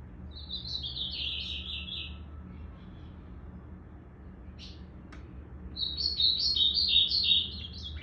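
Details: Blue-black grosbeak on 8 September 2020, tail still growing: a rippling high phrase, a long gap with a couple of faint clicks, then a stronger run of quick, sharply slurred notes.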